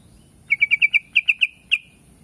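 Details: Trucuk, the yellow-vented bulbul, delivers a crisp run of clear chirps, five quick notes, a brief gap, three more, then a single final note, against near silence.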